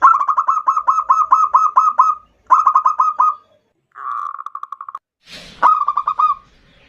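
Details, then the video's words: Local zebra dove in full song with the ndudut variation, used as a lure to call in and provoke a rival: rapid runs of short, husky, mid-pitched cooing notes in three bursts, the last preceded by a brief harsh noise. "Perkutut Lokal GACOR suara VARIASI NDUDUT Ampuh memanggil Lawan EMOSI MANGGUNG PANCINGAN PERKUTUT"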